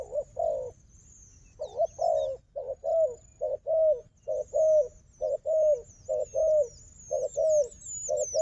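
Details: Wild dove known for fighting, paired with a strong decoy. After a brief pause it gives a regular series of low, slightly falling coos, about one per second, and high thin chirps rise toward the end.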